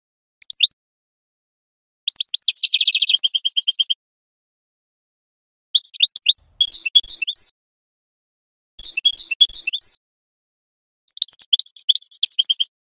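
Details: European goldfinch song in bright, twittering phrases: a short opening note, a fast run ending in a buzzy trill, then three more jangling, liquid bursts separated by brief pauses, with no other sounds in the background.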